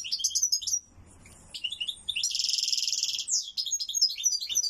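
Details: Loud European goldfinch song: rapid high twittering notes running into a long buzzy rattling trill, then more quick liquid twitters.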